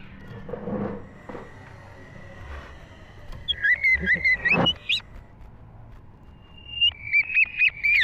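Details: Green leafbird singing vigorously, recorded in 2023: a quiet, noisy start gives way to two runs of quick, looping whistled notes that rise and fall, each run of several rapid chirps, over a low background hum.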